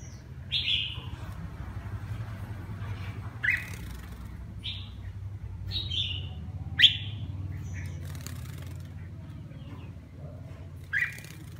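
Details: Red-whiskered bulbul with partial cheek patches and a lion-style crest, a kept bird, singing while bathing: short bright whistled phrases spaced a few seconds apart over a steady low hum.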